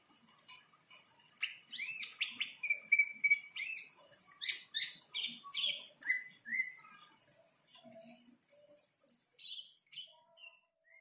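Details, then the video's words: Greater green leafbird in breeding condition singing after a rain bath: a rich, varied run of bright whistles, upward sweeps and slurred notes, with a steady held whistle near the start and quick chirps between phrases. "Birahi cucak ijo stabil " Dg mandi hujan""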